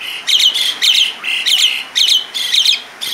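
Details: Asian pied starling giving harsh, scratchy squawking bursts, about twice a second in uneven rhythm, each burst grating and buzzy.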